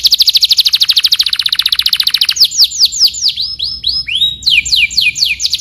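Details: Canary song in the full stuffed walnut master style: a fast trill of rapid notes repeated for over two seconds, then a series of loud descending whistled sweeps with short rolls between them.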